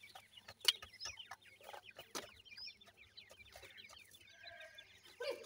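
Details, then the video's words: Many grey francolin chicks cheeping together, a steady patter of short, high peeps broken by a few sharp knocks and clatters. "pheasant bird ki checks playing,pheasant bird check ki call"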